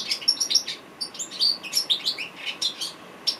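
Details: African goldfinch in full song, a bird said to have a hundred voices: quick high twittering phrases mixing liquid chirps, buzzy notes and short whistles in a lively, uneven rhythm.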